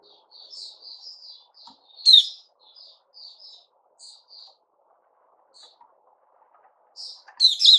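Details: White-rumped shama (Puteh Raja), 29 August 2021: a string of soft, high, evenly spaced twittering notes, broken by two sudden loud, harsh warbled bursts, one early and one at the end.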